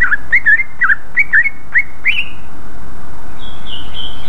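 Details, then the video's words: Greater green leafbird song used to bait other leafbirds into answering: a quick series of bright chirps, about three per second, trailing off into faint, long, high sliding whistles. "Pancingan suara burung cucak ijo gacor ngeplong paling cepat di respon cucak ijo lain"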